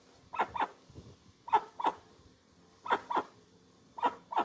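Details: Dusky-legged guan repeating doubled, bark-like honks, each pair about a second apart, clear above a soft hissing background.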